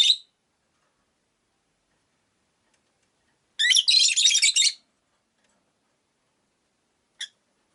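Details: One long, rough, buzzy chirping burst lasting about a second comes from caged rosy-faced lovebirds kept by a window, with a short chirp at the start and a faint tick near the end.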